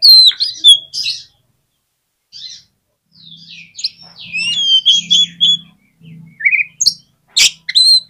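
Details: Oriental magpie-robin song, used to prompt a lazy bird to answer: bursts of high, sharp whistles and twittering slurs separated by gaps of silence, with a faint low hum under the middle phrases.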